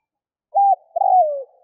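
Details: Spotted dove, a decoy bird kept in Vietnam, cooing to lure wild doves: a short level hooted note followed by a longer, slightly wavering coo that slides downward, against a quiet background.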